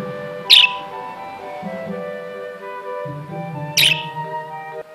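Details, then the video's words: A budgerigar gives two short, bright, happy chirps about three seconds apart, over steady background music. "Parakeet Sounds and Their Meanings"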